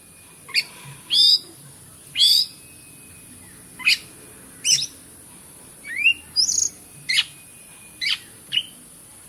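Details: Oriental magpie-robin delivering spaced song notes, offered as a trigger for birds that no longer sing: sharp descending strokes, a few upslurred whistles and a short warble, roughly one note per second.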